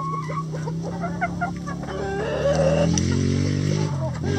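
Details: Chickens and roosters in a coop, with a few clucks early on and a longer drawn call midway, all over a strong low mechanical-sounding drone.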